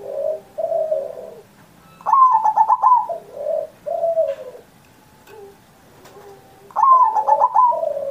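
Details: Zebra dove, used as a master song to lure pet doves that are silent or just learning to sing, recorded on Indonesian Independence Day: soft low coos, then a rapid rolling stuttered trill and paired mellow coos, phrases repeating every four to five seconds.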